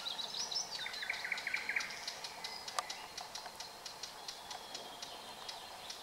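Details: Red-backed shrike: short chattering phrases at two pitch levels, followed by a series of sharp, evenly spaced high ticks against constant outdoor background hiss.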